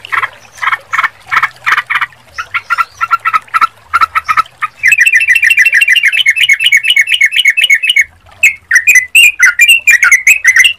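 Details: Sooty-headed bulbul song used as a lure: short bursts of chattering notes, then an unbroken run of rapid, even notes, then louder, varied bubbly phrases, with a faint low hum underneath.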